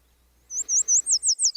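A Yellow Warbler sings a quick run of high, bright, slurred notes, like sweet-sweet-I'm-so-sweet, ending on a drop; a faint low hum sits underneath.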